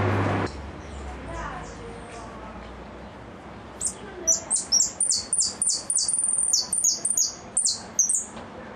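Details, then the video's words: Goldfinch repique song. Opens with low background noise and faint chatter. After about four seconds comes a lively series of sharp, high, downward-sweeping notes, repeated quickly and unevenly. "Blanco de repique"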